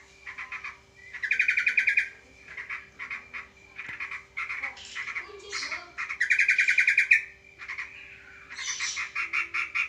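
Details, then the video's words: Sooty-headed bulbul, fighting a sparrow when meeting an opponent: loud, buzzy, harsh chattering bursts of rapid repeated notes, each burst about half a second to a second long, with short pauses between and a steady low hum behind. "TRUCUK VS BURUNG GEREJA"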